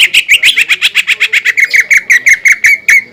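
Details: Greater green leafbird delivering a rapid, even series of rich chirping notes, about six per second, steady in pitch. The song is used to provoke other leafbirds into singing.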